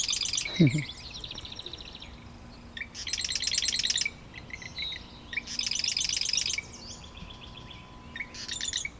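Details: Male marsh wren near its nest in a cattail marsh pond at Taquanyah Conservation Area, Cayuga, Ontario, singing repeated harsh buzzy rattling trills mixed with gurgling notes, about every two to three seconds, with a brief low thump early on.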